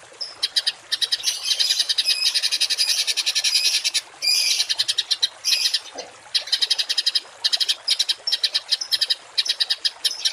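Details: Harsh 'tembakan kasar' songbird material for teaching cage birds varied rough notes: long stretches of dense grating chatter broken into fast pulsed rattles and scratchy bursts with brief pauses.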